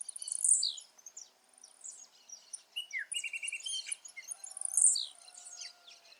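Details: Wild blue-black grassquit sings two high, buzzy, down-slurred phrases roughly four seconds apart. In its natural habitat a lively mix of other birds' trills and chirps runs between them.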